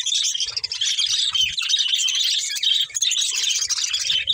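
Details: Continuous high, scratchy warbling chatter from a breeding pair of budgies, steady and loud throughout, with faint low rustles.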